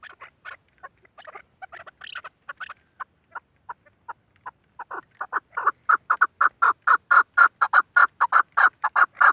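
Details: Calling female chukar partridge used for hunting: hesitant, widely spaced clucking notes gradually tighten into a loud, regular string of rasping chuk calls.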